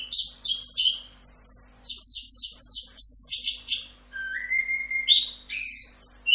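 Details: Orange-headed thrush giving full rock'n roll tutor song: quick high twitters, a run of rapidly repeated trilled notes, then a long falling whistle and varied sweet phrases, with a steady faint hum in the background.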